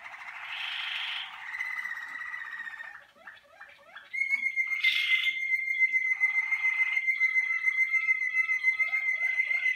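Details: Caged Malinois waterslager canary warming up during its first sessions in the song cabinet, delivering a varied song: rapid clicking and gurgling trills, then a long, steady whistled note with fast pulsed trills laid over it.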